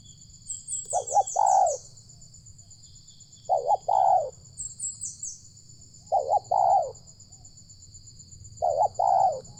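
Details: Wild spotted dove with a loud voice, lured near village houses, gives paired coo phrases roughly every two and a half seconds, each a quick note then a longer throaty one, over constant high-pitched insect buzzing and occasional bird twitters.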